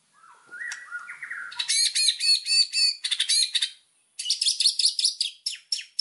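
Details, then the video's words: White-rumped shama in lively song, used as a master recording for training birds: low whistled notes that step up, then loud rich rapid phrases of rolling and trilled high notes, a brief pause, and more fast varied bursts. "MASTERAN MURAI BATU GACOR"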